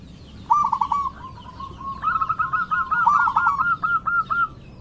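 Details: Lure song of a local perkutut (zebra dove): a soft cooing phrase, then a longer, louder chain of rapid rounded coos running for about two and a half seconds.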